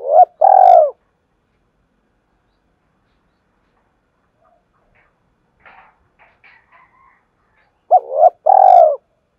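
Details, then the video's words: Spotted dove cooing to set other doves cooing: a strong, deep double coo, several seconds of near silence with faint soft notes, then the same loud double coo repeated. "tiếng cu gáy thúc gáy gọi"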